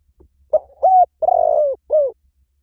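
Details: A single spotted dove phrase, close and clear: a short soft pip, a level coo, a long rough trilled note easing downward, and a final falling coo, all low and hollow-sounding.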